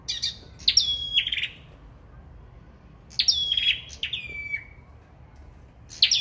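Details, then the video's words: A sâu đầu đỏ sings in competition, giving four high phrases in two bursts. Sharp chips glide into level, drawn-out whistles that fade. The background is quiet. "Sâu Đầu Đỏ Hót Đấu"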